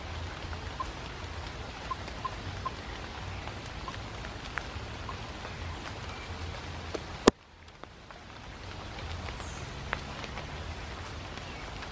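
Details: Steady rain pattering on leaves and surfaces, with one sharp knock partway through and no clear animal voice.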